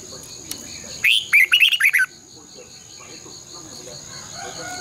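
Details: Red-whiskered bulbul, a caged decoy bird in fired-up competition singing, morning song of the long double twisting style; a single rapid run of slurred whistled notes lasting about a second, then a continuous pulsing buzz and faint rustling.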